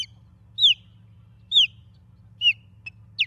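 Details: Shrill piercing whistles from an osprey at its nest in Charlo, Montana, early morning of 23 August 2023 on a nest camera: three loud downslurred notes spaced about a second apart, then softer clipped chirps, over a low background hum.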